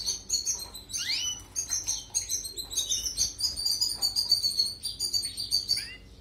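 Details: Song of a European goldfinch used for tutoring canaries: fast, bubbling high twitters in a steady pulse, with a quick rising sweep near the start and a tinkling run of notes later on.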